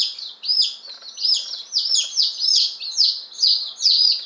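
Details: Day-old chicks of two crested breeds, ten Appenzeller Spitzhauben and five White Crested Blue Polish, arriving May 19, 2015. Piercing falling peeps come in quick pulses about twice per second, many voices overlapping.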